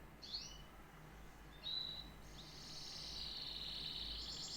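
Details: Canary singing: a couple of short high chirps, a thin whistled note, then a sustained buzzy high trill that runs to the end, fairly quiet over a faint low hum.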